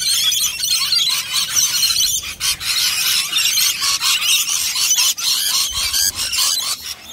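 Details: Wild rainbow lorikeets, a whole flock feeding at a nectar dish; continuous shrill, high screeching chatter from many birds overlapping, with brief gaps, loud throughout.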